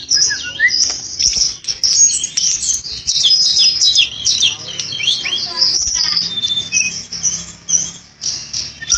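A flycatcher sings a rapid, high, thin twittering of sharp chirps and short slurred notes, almost without pause, over a faint low background hum.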